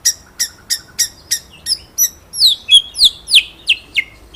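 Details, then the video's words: White-rumped shama in ngeroll nembak style, a master song for training other birds: a string of quick, evenly spaced high chips that turns into louder downward-sweeping whistles, about three notes per second. "BURUNG MURAI MASTERAN NGEROLL NEMBAK"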